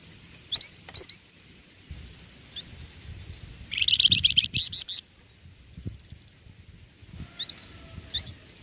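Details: Young songbird singing: a few isolated high chips, then a quick run of bright, rapidly repeated chirps for about a second, then more sparse single notes.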